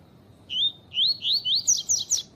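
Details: Double-collared seedeater song of the tui tui type, meant with a female call to teach and stir up captive males. Clear, loud series of seven upward-sweeping whistles, the later ones higher and faster.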